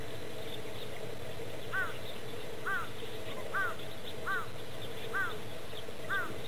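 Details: Mute swan cygnet playing with its father at Ako Castle ruins park. It gives short, falling peeps about every second, six in all, over a steady low hum.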